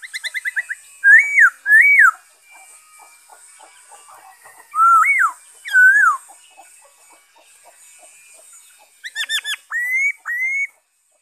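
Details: Black-throated laughingthrush in song on 5 May 2021, repeating loud arched whistles in pairs, opening with a rapid series of short notes; quieter chatter between phrases and a closing burst of short notes before two rising whistles.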